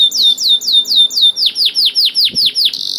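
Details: Energetic canary song used as a lure for canaries slow to sing. Repeated down-slurred whistles, then a series of deeper swooping arches, ending in a short buzzy rattle; one faint low tap.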